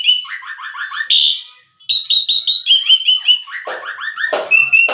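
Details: Young Javan pied starling singing in the ngetrek style: rapid runs of short chattering notes that step down in pitch, mixed with brief buzzy bursts and a few clear higher whistles, with a short pause midway.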